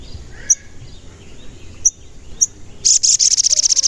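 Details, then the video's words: Crimson sunbird (sogon), used to provoke other sogon into song: three sharp isolated high chirps followed by a sustained rapid trill of evenly pulsed, very high notes. "Pancingan Sogon Agar Bunyi dan Emosi"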